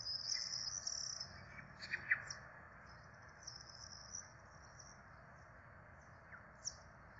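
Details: Peregrine falcon nestlings, four chicks at feeding time in Rome on 12 April 2024, open with loud, high, wheezing begging whines, then give short thin squeaks that fade out against steady hiss.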